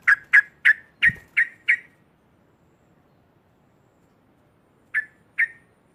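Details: A sooty-headed bulbul sings loudly to stir up rival birds. Six fast, harsh chattering notes come first and a soft thump is heard. After a long silence, two more notes follow.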